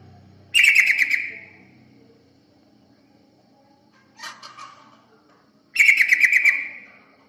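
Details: Yellow-vented bulbul (terucukan) calling as a lure to attract other birds: loud, harsh, bubbly chattering bursts about half a second long, with a softer burst between them and long quiet gaps.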